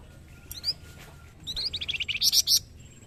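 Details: Indonesian young flamboyan singing keenly as a training master: a few scattered chirps, then a quick run of bright notes building to three loud, ringing high notes.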